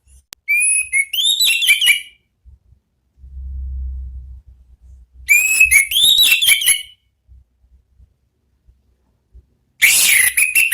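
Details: Orange-headed thrush in ngeplong song: two loud bursts of rising and falling whistles with quick chirps, then a harsher, noisy burst at the end. A low hum sounds between the phrases.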